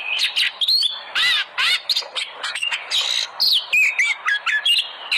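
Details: Song of an oriental magpie-robin, played to make other birds sing: loud rasping harsh notes alternating with bright whistled slurs, in a steady, busy stream.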